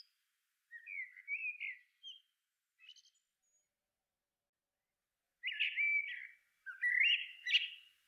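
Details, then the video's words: Middle spotted woodpecker, Dendrocopos medius: a few scattered soft rising notes, then after a pause two louder, harsher buzzy calls close together near the end. "Middle spotted woodpecker (Dendrocopos medius) Μεσαίος Δρυοκολάπτης"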